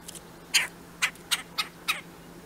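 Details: Two red-bellied woodpeckers: six short, harsh, raspy notes at uneven intervals over two seconds, the second note loudest. A faint steady hum sits underneath.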